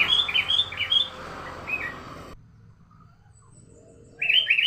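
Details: Sooty-headed bulbul, a lure recording used to train young birds: quick bubbly chirped phrases, then about two seconds of near silence, and another burst of rapid warbled notes at the end.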